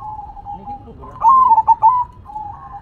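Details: Zebra dove (perkutut) singing manggung: low soft cooing, then one loud phrase of quick bubbling coos ending in a sustained note, before gentle cooing resumes.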